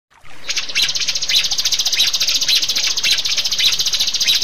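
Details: Rio-rio bird song used as a master recording to train caged birds and prompt silent ones to sing: a dense, rapid, high chattering trill of fast repeated notes, steady and sustained after a short start.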